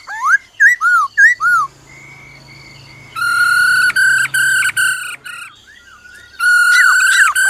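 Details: A black-throated laughingthrush sings in forest style with the female trilling: quick hooked whistles, a thin level note, then two long loud rich whistled phrases broken by short gaps.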